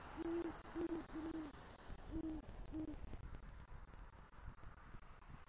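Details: Male great horned owl hooting at the nest after bringing a rodent, calling for the female, in southwest Florida. Three deep hoots come close together, then two more after a pause, followed by quiet background hiss.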